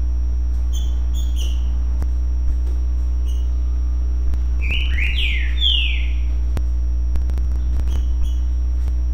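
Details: Green-winged saltator singing in the currucutill song style: a few faint short whistles, then a loud phrase of slurred, sweeping whistled notes in the middle, over a constant low electrical hum.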